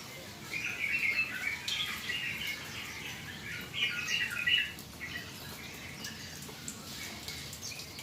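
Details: Yellow-vented bulbul settling after a rain-bath: bursts of rapid, bubbling warbled notes, two main phrases separated by quieter stretches, with a constant soft hiss behind.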